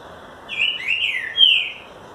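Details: A green-winged saltator sings a "boiadeiro"-type song, a loud, clear whistled phrase in three linked parts sliding up and down, over faint background hiss.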